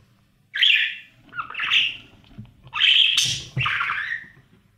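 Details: Budgerigar chicks inside a nest box during breeding, being fed by their parents: four harsh, raspy calls, each about half a second long, separated by short pauses, with faint shuffling underneath.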